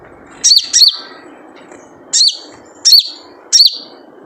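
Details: Wild sogon, a sunbird, calling its typical 'jrejet cuit' lure call: five sharp, high, downward-flicking chirps, the first two closely paired, then three spaced about 0.7 seconds apart.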